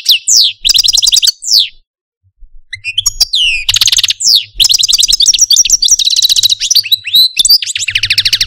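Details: Algerian parva goldfinch, a caged pet male, in complex song: bursts of rapid chattering trills and slurred whistles, a brief silent pause, then long tumbling phrases of sharp chirps and buzzy twitters.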